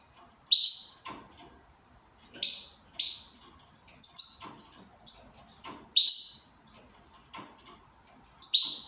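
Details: Goldfinch in good condition giving a steady series of short, buzzy, bright call notes, roughly eight or nine in under nine seconds, some doubled, interspersed with soft knocks and clicks.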